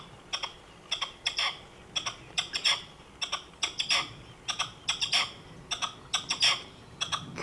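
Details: Evening calls of a red-legged partridge on a rooftop, recorded on a zoom camcorder: grating chuck notes grouped in twos and threes, the phrases repeated about once a second, some notes louder and more strident.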